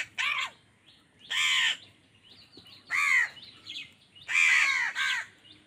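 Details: Crow squabbling with wild birds for food, angry: a string of about five rough caws, some doubled, repeated around every second, over soft background chatter.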